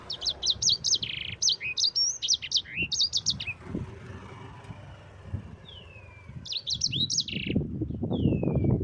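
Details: Yellow-fronted canary singing a training song for other birds: quick bursts of high, sharp whistled notes and downslurred slides, broken by a pause, over steady road traffic rumble that grows louder toward the end.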